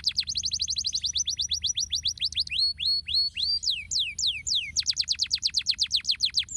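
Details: Stimulating song of a canary: rapid high chips, then varied swooping whistles, some rising and some falling, before a fast run of descending notes returns.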